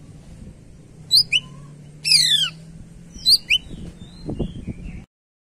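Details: Energetic greater green leafbird, used as a lure for other birds, sings high whistled notes, a dense buzzy falling rasp, more paired whistles and soft fading chirps, with low thumping noises near the end.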